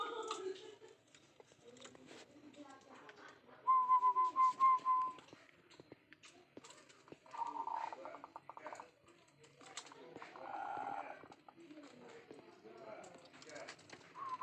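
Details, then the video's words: Zebra dove calling steadily indoors: a quick run of about eight soft, even, rhythmic cooing notes lasting just over a second, with room noise, clicks and faint voices around it. "Perkutut Rajin Bunyi"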